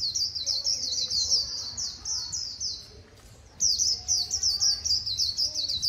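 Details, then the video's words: Líu-style white-eye song from Vietnam: fast, high, sweet twittering runs of tumbling notes, a half-second pause after three seconds, then the warble resumes as strongly. Faint lower bird notes sit underneath. "KHUYÊN LÍU HAY NHẤT 2019"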